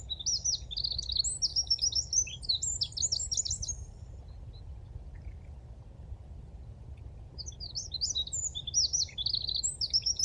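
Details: Mating song of a Eurasian wren in the Dnipro floodplain, Konche-Zaspa, Kyiv, Ukraine, 17 February 2023: two loud, fast, high-pitched rattling phrases of trills and twitters, each several seconds long, separated by a pause, over faint low rumble.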